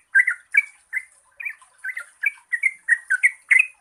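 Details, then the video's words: Lure song of a Yellow-vented bulbul, 'gacor ropel panjang' style, meant to stir reluctant singers: burbling, warbled notes delivered in quick, slightly uneven bursts with short gaps. "Pancingan Trucukan Gacor Ropel Panjang COCOK untuk BURUNG TRUCUK MALAS BUNYI"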